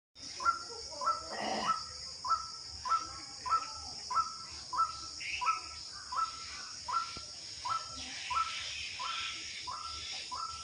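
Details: Unidentified bird calling in the rainy season: a short, clear whistled note that rises then levels off, repeated regularly about every half second, over a steady high insect-like hiss and soft background noise.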